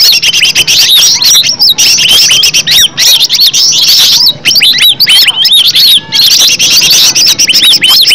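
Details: Natural green leafbird song meant to prompt kept leafbirds into answering. Loud, busy chattering of sharp rising and falling whistles, fast and almost unbroken, with brief gaps near the middle and around six seconds.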